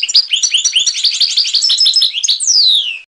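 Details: European goldfinch singing the Trnan song style, from a 2020 song CD: rapid, liquid twittering with tinkling high notes for over two seconds, ending in a long, clear descending whistled slur.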